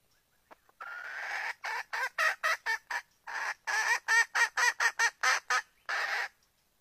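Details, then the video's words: Female red junglefowl's call inviting a male to mate: an almost continuous cackling run of about twenty rapid, rough, harmonic notes that rise and fall over six seconds. "Suara ayam hutan betina minta kawin dengan ayam hutan jantan"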